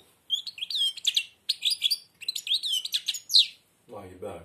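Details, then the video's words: A blind European goldfinch sings with a nearly closed beak. It gives quick runs of bright, chirruping notes and twangy trills in several bursts. A man's voice urges it on at the end. "تغريد_الحسون أعمى سبحان الله يغرد ومنقاره شبه مغلوق"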